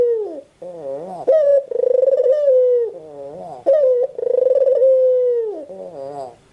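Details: Cooing of a white ringneck dove. Wavering, bending notes alternate with clipped accents and long resonant coos that start with a pulsing throb and fade downward. The sequence repeats twice in a quiet setting.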